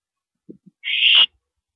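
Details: During a nighttime mouse delivery on April 13 2012, two soft low clicks precede one long, harsh hissing owl screech of almost half a second that fades raggedly.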